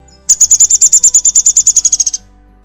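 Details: Downy Woodpecker giving its distinctive call: a fast, even series of about twenty high, sharp notes that slows and fades slightly toward the end, over faint low background hum.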